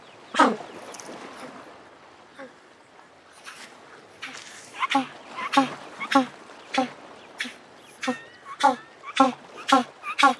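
African penguins giving harsh, honking brays, short hoarse notes repeated roughly twice a second, with a murmur of other birds behind.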